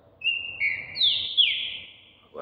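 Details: A Brazilian champion green-winged saltator, preparing for the competition season, gives a brief series of clear whistled notes that step upward and then slide down.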